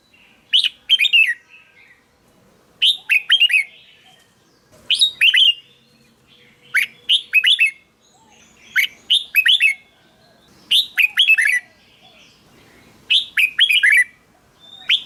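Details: Song of a red-whiskered bulbul, used to excite caged birds: clear, rich whistled phrases of three or four quick notes, repeated steadily about every two seconds for the whole stretch, with little background noise.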